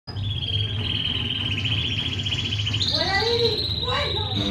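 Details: Two white caged Fischer's lovebirds, hatched in November 2015, recorded on 27 December 2015 just before noon; a long, high, buzzy trilled note holds steady, then rises into short chirps and rapid upward-sweeping squeaks over a low hum.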